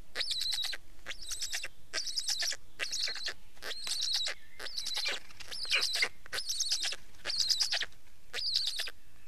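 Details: Black stork calling steadily, rasping bursts with high, wavering whistles repeated a little over once per second throughout, uneven in timing.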